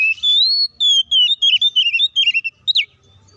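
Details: Oriental magpie-robin, locally kacer, giving a loud fighting song to enrage rival kacer: a rising sustained whistle followed by a fast chain of wavering, descending notes and one sharp downslurred note.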